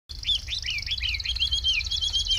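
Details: Chinese hwamei kept as a cage bird, singing well: a run of loud, clear slurred whistles, each bending down then up, repeated about four times a second over a steady high shimmering buzz.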